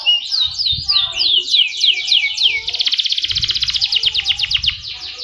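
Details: Singing canary: a run of quick downslurred whistles gives way to a fast, even machine-gun trill repeated many times a second, loud and clear above a soft low rumble.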